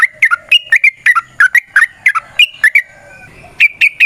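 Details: Yellow-vented bulbul in rapid, varied song, used as a lure for other bulbuls: crisp whistled notes jumping up and down in quick succession, a short pause, then a few more clear notes.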